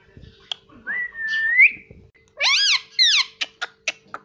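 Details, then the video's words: Pet green Indian ringneck parrot, a mimic of words like "mummy" and "papa", gives a long level whistle that bends upward at its end. After a pause come two squeaky, harmonic spoken syllables and a short run of sharp clicks and chirps, all indoors. "papa bolne vala indian parrot"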